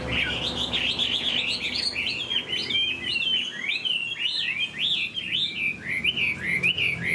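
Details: Chinese hwamei, a large caged bird in moult, delivering a continuous high song of rapid slurred whistles, each note swooping up and down, run together in a lively unbroken stream for seven seconds.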